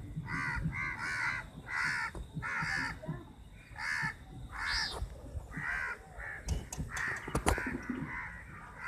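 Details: Crows battling over chapati: a run of loud rasping caws, several in quick pairs, then weaker calls mixed with sharp tapping sounds.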